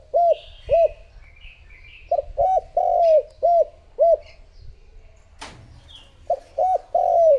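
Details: Lure spotted dove cooing to attract other doves: repeated short arched coos in two bouts, with longer sliding notes. Higher chirps come from another bird, and a sharp click breaks the pause between bouts.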